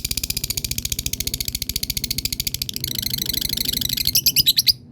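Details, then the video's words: Lovebird performing ngekek, a long trill, setting other birds calling. A fast, continuous pulsed rattle runs for nearly five seconds, turning brighter and more metallic toward the end before stopping abruptly. "Love bird belajar ngekek ,yang lain dengar langsung terpancing bunyi"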